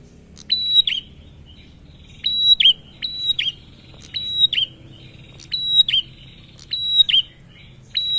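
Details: Vocal male Bar-winged prinia, played to stir other prinias and ciblek into calling: seven high clipped phrases, each a flat whistle and falling flick, with a low murmur underneath.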